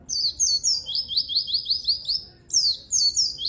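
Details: White-eye song used to lure and train white-eyes that sing little: a high twitter leading into a run of six quick falling whistles, then fresh bursts of rapid chattering notes.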